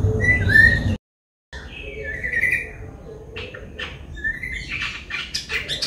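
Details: White-bellied drongo in Sri Lanka: a couple of bright whistled notes, a short gap, then drawn-out slurred whistles and a run of quick chirps and clicks.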